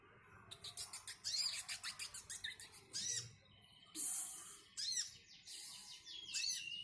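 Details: Brown-throated sunbird in energetic song: a fast burst of sharp, high chips, then scattered louder sweeping and buzzy notes with pauses between them.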